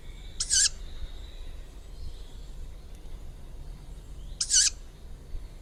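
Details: Juvenile tawny owl calling twice, each a harsh, hissing screech about a quarter second long, spaced roughly four seconds apart, with steady low-frequency background noise.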